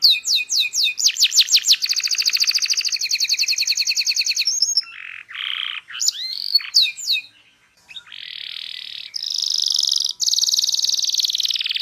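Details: Long, energetic canary song meant to teach young canaries to sing: quick rising chirps leading into sustained rattling trills, a few lower warbled notes, a brief gap, then more high, steady buzzy rolls.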